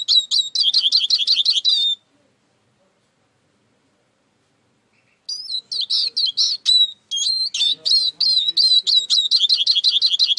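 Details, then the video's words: Singing Eurasian siskin delivers rapid high twittering trills, breaks off into two seconds of silence, then resumes with sharp descending whistles and buzzy chattering phrases in quick succession. "İskete kuşu ötüşü"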